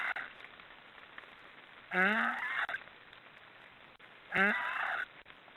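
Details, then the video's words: Black stork giving two hoarse, nasal, slightly rising snoring calls, each under a second, about two and a half seconds apart, over a steady background hiss. "Black storks are snoring"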